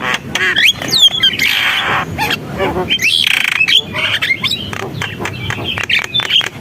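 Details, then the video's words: Javan myna singing gacor style, a busy, chattering stream of grating squawks, clicks and bright whistled slurs, some sweeping sharply upward, delivered continuously over several seconds with a low background hum. "JALAK KEBO GACOR, SUARA JALAK KEBO"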